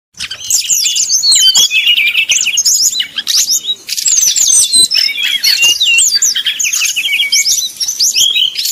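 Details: Brown-chested jungle flycatcher in 'nyuling' flute-like song style, used as a lure to heat up rival birds and make them sing fully: dense, fast high whistled warbling with rapid slurred notes and trills, continuous throughout, no other sounds.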